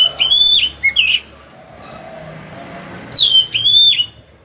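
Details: Oriental magpie-robin decoy singing to entice rival birds to fight. Two brief whistled phrases are separated by a lull of about two seconds, with a faint hum in the background.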